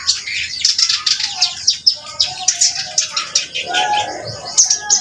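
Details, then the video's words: Reed warbler singing hard, with fast repeated harsh chirps and churring notes in steady pulses and a few lower warbled tones underneath. "burung kerak basi gacor"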